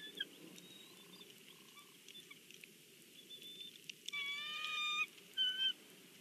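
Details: Bald eagle family at the nest at breakfast in Big Bear, on a live nest camera. Near the end comes a thin, whining, harmonic call lasting about a second, then a short higher squeal. Faint chirps and a steady background hiss run throughout.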